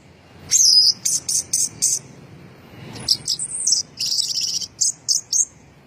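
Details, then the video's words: First-place orange-headed thrush in drunken-seeming 'teler' song: a loud high squeal, five evenly spaced bright notes, a short quiet gap, then a buzzy whistle and a quick run of chattering high notes. "Kicau Burung Anis Merah Gacor teller Juara 1"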